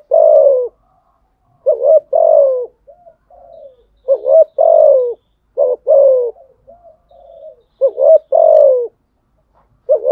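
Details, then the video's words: Spotted dove's challenging coo aimed at rivals: a loud pattern of a short rising note and a longer falling coo, repeated about every two seconds, with softer, low murmured coos in the gaps. "Thúc gù chim cu gáy bài bản nhất hiện nay. gù thúc bài bản, kích bổi rất riêng gáy, cu đất gù đấu"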